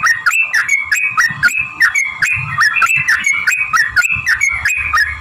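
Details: Sooty-headed bulbul lure song to provoke other bulbuls into singing: loud, steady whistled notes with quick bends, repeated about three times a second, with clicking sounds and low thumps in the background.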